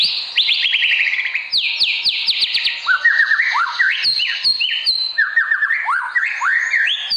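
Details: Lively white-rumped shama song for training: cascades of quick downslurred whistles, then series of upward-flicked notes in clipped, varied phrases, with faint clicks between.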